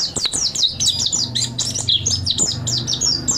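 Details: Mountain white-eye training song: continuous fast, high, sharp down-slurred chirps repeated several per second, with a faint low hum underneath.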